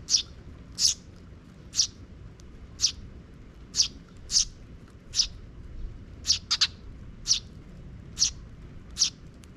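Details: Sparrow chicks coming after a parent bird that checks for safety, park recording from 12 June 2023; crisp high chirps, mostly evenly spaced, one quick double note near the middle.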